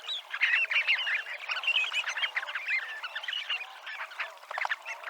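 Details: Dunlin (Calidris alpina), Abruñeiras seafront, Noia, Ría de Noia; loud, busy twittering of many birds, rapid buzzy trills and slurred notes crowding together, easing slightly toward the end.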